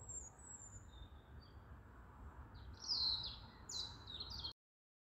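A stonechat gives thin, very high whistles, then a quick run of hard, scratchy ticking notes over faint background hiss.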